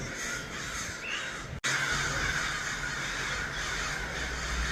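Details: Numerous crows in Los Angeles cawing rapidly; a brief cut splits the recording, after which dense, hoarse caws from many birds continue over a low droning background.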